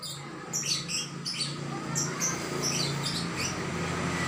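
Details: A bird giving thin, high chirps and short downslurred notes in a loose series, thinning out toward the end, with a steady low hum underneath.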